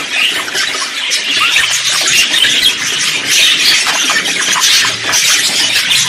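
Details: Budgerigars warbling through simple songs, contact calls and courtship songs; a lively, scratchy chirping stream that rises and falls gently in volume.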